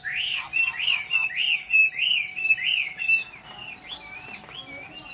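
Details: Chinese hwamei, a Vietnamese cage bird, repeats a loud, rich whistled phrase about six times in quick succession, then shifts to quieter, looser rising and falling whistles.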